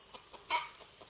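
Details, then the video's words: Red junglefowl recorded June 12, 2011: one short, harsh, louder note stands out amid faint rapid soft clucking pulses, with a steady high insect drone throughout. "Red Jungle Fowl"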